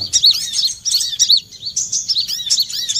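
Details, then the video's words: Olive-backed sunbird calls recorded as a lure for catching birds: continuous thin, sharp tweets and curved whistled notes, steady and rapid throughout. "suara pikat mp3 burung kolibri kelapa"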